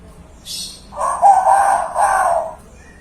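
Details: Young hill myna mimicking a chicken: a loud, harmonic, crowing phrase lasting about a second and a half, rising then holding and trailing off, preceded by a brief hiss.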